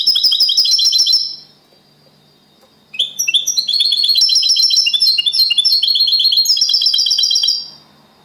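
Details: Clean copia Malaga song from a second-placed champion European goldfinch: a short high trill, a pause, then a long unbroken run of tinkling, rolling twitters and chirps lasting over four seconds.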